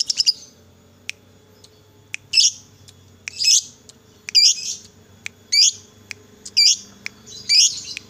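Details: Lovebird kept as a bait bird to provoke other lovebirds into song, giving high, sharp, looping chirps repeated roughly once a second over a faint low background hum.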